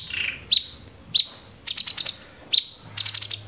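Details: Cucak cungkok bulbul delivering 'tembakan' song. Short, bright whistled notes are followed by quick runs of five very high staccato ticks. A faint low hum sounds near the end.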